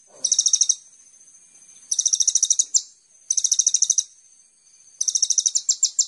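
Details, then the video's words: Sunbird called kolibri ninja, recorded to trigger singing in other birds: four short, dense bursts of very high, buzzy rapid notes, each under a second, spaced by quiet pauses. "Pancingan Konin Full Gacor Tembakan mewah"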